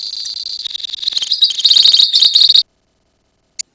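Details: Lovebird colony chattering in a long 'ngekek' song: dense, rapid, high-pitched trilled chatter that runs unbroken for about two and a half seconds. It then stops abruptly into silence, with one short burst near the end.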